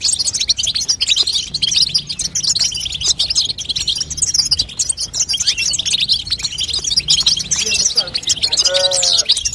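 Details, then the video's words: Female European goldfinch chattering, used to coax song from a young goldfinch; a dense, high, tinkling twitter continues throughout, broken near the end by a brief lower squeak with rising overtones. "بتبته لتقويه فرخ الحسون تخلي يغرد غصب عنو"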